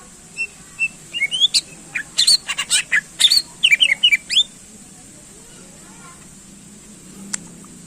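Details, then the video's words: Greater green leafbird song for exciting contest birds: a dense run of sharp chirps and short whistles for about four seconds, then near silence with steady hiss. "Cucak Ijo Gacor Ampuh Menaikkan Emosi Burung Lomba"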